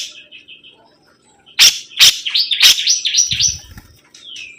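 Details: Sibuntung bird singing vigorously, with loud sharp clicks mixed into a wavering, warbled high phrase that ends in a slurred, falling whistle.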